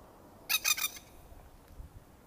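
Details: A plover in nesting season in Darwin, NT dive-bombs the recordist to protect its nest, giving a quick burst of three or four harsh, rasping squawks in half a second, then silence; faint background hiss.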